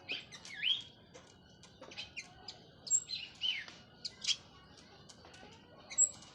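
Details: Orange-headed thrush, Cililin local type, freshly moulted, gives scattered chirps, buzzy slurred notes and brief high whistles with short gaps between bursts. The surroundings are otherwise quiet.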